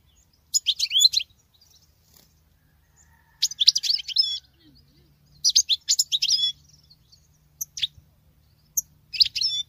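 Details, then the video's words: Singing female goldfinch, sounding like a male, repeats short bursts of fast, high, jangling twitters and buzzy trills roughly every two to three seconds, with several brief isolated chips between phrases. "Femelle chardonneret qui chante que le mâle"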